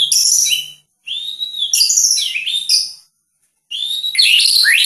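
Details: Vigorously singing white-rumped shama of the Medan type, caged: three phrases of rich, warbling whistles mixed with high chatter, separated by brief silences.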